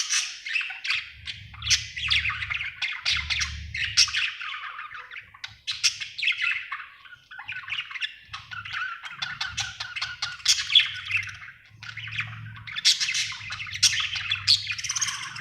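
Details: A happy budgerigar keeps up long, scratchy warbling chatter with squawks and chirps, over intermittent low rumbling in the background.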